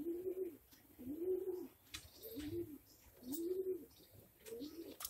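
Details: Fancy English Magpie pigeon from Bhavnagar, Gujarat, cooing in a steady series of low, soft, rounded notes, roughly five in five seconds, with light background clicks.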